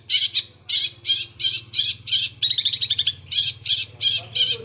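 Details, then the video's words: Rapid sparrow-like chirping from a long-tailed shrike, described as a fast roll like a sewing machine: loud high notes about three per second, with a quick rattled trill midway. "Cendet suara gereja Kunti tembakannya seperti suara mesin jahit roll speed fighter"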